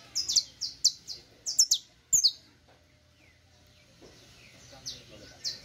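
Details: Saffron finch singing for teaching: clusters of high, clipped descending chirps in quick pairs, then a quieter stretch with a few softer notes.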